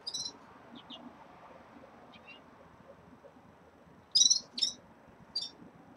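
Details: Red-fronted serins kept caged during early moult give a few faint chirps, then a cluster of three loud, bright, quick notes near the end over a murmuring background.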